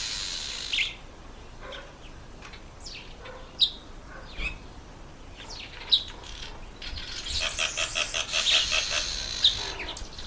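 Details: Red bishop in the breeding season: scattered sharp high chirps and short downslurred notes, then a fast, evenly pulsed buzzy rattle near the end, with further chirps over a quiet background.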